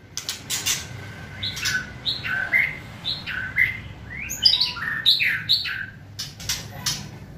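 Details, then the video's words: White-rumped shama crackling song to provoke and hasten singing: sharp clicks and slurred chirps at varied pitches in an irregular stream, some brighter whistled notes midway, over a noisy low background. "Kretekan Gahar MURAI BATU GACOR ini untuk memancing Emosi dan mempercepat Ngeplong"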